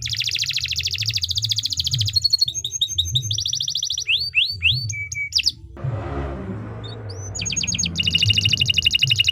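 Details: Canary in long 'gacor panjang' song for masteran training: dense buzzy rolls, chopped trills and swooping whistles, broken midway by a second of broad noise, then more rapid rattling trills over a low hum.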